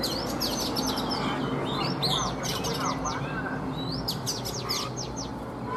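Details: Older wild-caught Oriental magpie-robin kept caged three seasons, singing in the morning: a jumble of high whistles, twisting slurs and sharp clicks, loosely spaced, with a steady low drone behind.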